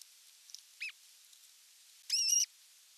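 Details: Osprey at the nest with a whole fish brought for dinner, 27 June 2022: one brief high wavering squeal, then after a pause a longer shrill, buzzy whistled note with rich overtones.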